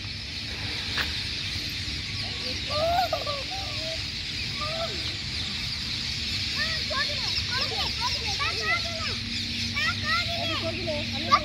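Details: Early-morning chorus of a huge flock of rose-ringed (ringneck) parakeets in big trees at a sugar factory quarters: dense harsh, rising and falling screeching over a steady high-pitched hiss; the birds leave to feed and return in the evening.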